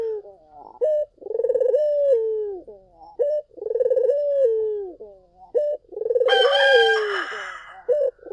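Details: Repeated song of a collared dove used to draw other doves in: short sharp notes alternate with rolling, vibrating coos that end in drawn-out descending tones. A brief bright noise cuts in near the end.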